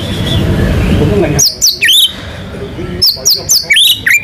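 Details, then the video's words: Hiss and low rumble at first, then a white-rumped shama breaks in with sharp, high descending whistles and downslurred flicks in two short bursts. "MURAI BATU GACOR MANCING BURUNG LAIN BUNYI‼️ MATERI ISIAN NGEROL NEMBAK IRAMA LAGU LENGKAP ISTIMEWA"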